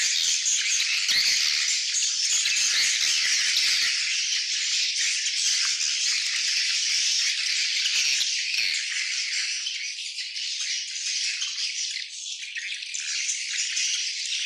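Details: A swiftlet colony calling together: a dense, continuous wash of high, rapid twittering and chirping that stays steady throughout, easing slightly in loudness over the final seconds.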